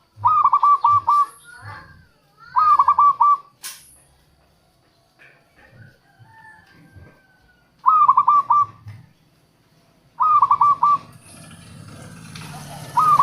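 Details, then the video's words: Local zebra dove song used in Indonesia to lure wild doves: short bursts of four or five quick, high cooing notes, repeated every few seconds with quiet gaps, over soft low rumbles and faint rustling. "suara perkutut lokal untuk pikat dan pancingan"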